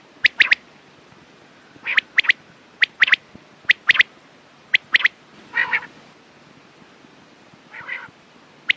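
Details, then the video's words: Quail calls, suggested for use in the morning and at night: short, sharp clicking notes in quick pairs and triplets, separated by pauses, with a few softer, rougher buzzy calls near the end. "Quails sound best sounds use morning and night time mast awaz saaf awaz"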